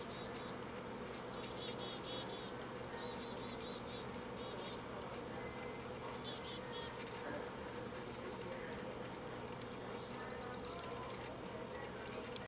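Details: Chickadees give short bursts of thin, high, slurred notes every second or two, scolding a Merlin on a windy Christmas morning, with juncos joining in over steady wind rush.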